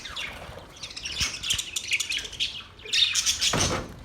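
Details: Budgies singing as a mating call: chattering twitter of squeaks and buzzy notes, easing briefly before a louder burst of bright chirps, with a few soft knocks.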